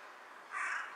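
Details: A single short, hoarse caw from a carrion crow sitting on a power line and bowing while it calls, heard over a constant noisy hiss.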